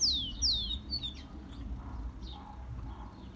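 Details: Rufous-collared sparrow (tico-tico) song, played to warm up and excite a tico-tico: two clear, high whistles that slide downward, then fainter slurred notes, over a low rumble of background noise.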